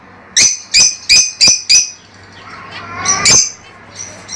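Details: Lovebird calls: five sharp, shrill chirps in quick succession, then a pause with faint twittering, one more loud piercing chirp and a softer final note over a low steady hum.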